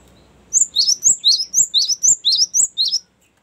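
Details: Cinereous tit singing to lure and tutor other birds, a long rolling series of high two-part phrases repeated about four times a second, crisp and even, with faint background clicks.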